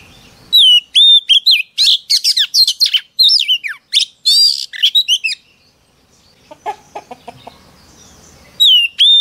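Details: Female Oriental magpie-robin singing to rouse males: loud bursts of clear downslurred whistles mixed with rapid buzzy, chattering notes, a pause with faint lower clicks, then a fresh whistled phrase at the end.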